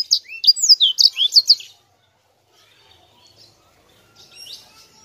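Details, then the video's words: Sanger in chatty rolling song: a quick burst of high, sweeping whistled notes lasting under two seconds, then near silence with a faint brief twitter near the end. "Suara Sanger Gacor Ngerol Enak Rapet"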